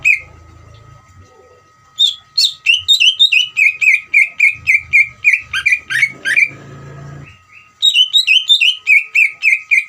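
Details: Greater green leafbird in ngeriwik song, used to stir other leafbirds to sing: after a quiet start, dense runs of crisp, falling whistled notes, several per second, a short break, then another fast burst; low rumbling thuds and a constant faint hum.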